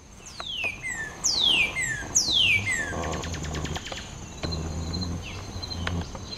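A red bird gives three loud, clear whistles, each sliding steeply downward, about one per second, followed by scattered dry clicks and a thin, steady high-pitched hum.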